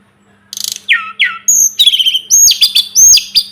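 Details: Short Sunda robin (sulingan gunung) masteran phrase: a buzzy rattle, two falling whistled slurs, then loud high upswept whistles repeated in quick succession.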